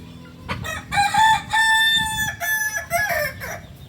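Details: A native singing chicken of Solok, West Sumatra, of the Kukuak Balenggek breed, delivers a multi-part crow. A short opening note leads into a sustained, strongly harmonic middle section and then a series of choppy, stepped closing notes.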